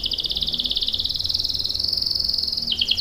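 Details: Canary performing a lure song: a fast, high, evenly pulsed trill that stays at one pitch, then steps down briefly near the end, over soft background noise.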